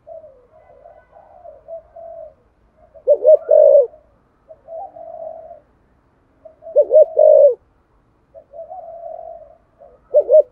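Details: Spotted dove in thổ-style voice, cooing to stimulate other doves: soft wavering murmurs alternate with three loud, throaty double-note coo bursts spaced several seconds apart in a quiet setting.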